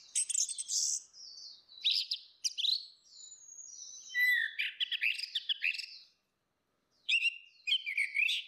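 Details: Female and male orange-headed thrush sing in a full, open style meant to lure birds. Long sweeping whistles and chattering scratchy notes form dense phrases, then a second of silence, then another burst.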